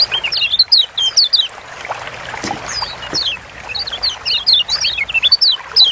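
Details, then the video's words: Kecial kuning, a Lombok white-eye, delivering a lively string of high, sharply sweeping chirps and twittered notes. A brief lower clatter breaks in midway before the fast twittering resumes. "Ciak Joss Kecial Kuning Ampuh Bikin Kecial Malas Bunyi Jadi GACOR"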